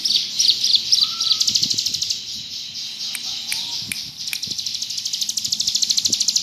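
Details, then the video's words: Bar-winged prinia (ciblek gunung) singing in the ngebrem style: a long, dense, buzzy high trill of rapid pulses that swells and fades, with a couple of faint lower whistled slurs partway through. "Burung ciblek gunung gacor ngebrem"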